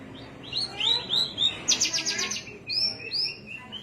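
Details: Javan myna singing at Cilacap, Indonesia: a quick run of clear, slurred whistles rising and falling, then a harsh buzzy burst and further high whistled phrases, over a faint low hum.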